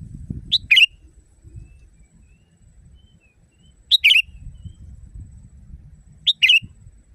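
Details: Loud natural sooty-headed bulbul song for training caged birds: three liquid whistled phrases spaced about three seconds apart, each a sharp lead note and a rich warbled flourish, with faint distant chirps and low background rumble.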